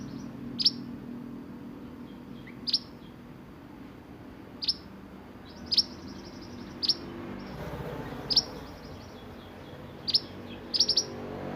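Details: Sunbird delivering roll nembak song for tutoring songbirds: piercing high chirps, each a quick downward slur, repeated about every one to two seconds. A brief thin trill comes between them, with faint low hum behind.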